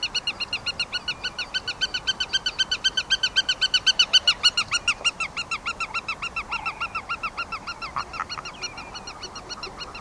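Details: A Black-tailed godwit (Limosa limosa), a critically endangered species in Norway, gives a fast, nasal, reedy series of about four notes a second that grows louder, then fades and turns ragged as if other birds join in.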